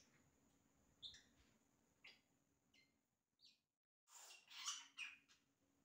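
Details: Yellow-rumped cacique singing imitations of other sounds: sparse, sharp whistled chirps about once a second, some sliding down, then a louder burst of harsh, rapid mixed notes near the end.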